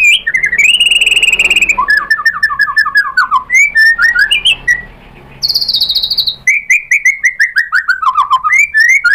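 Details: White-rumped shama provoked into replying: a long whistled note, then descending series of quick notes, a brief pause, a high hissing burst, and more falling runs.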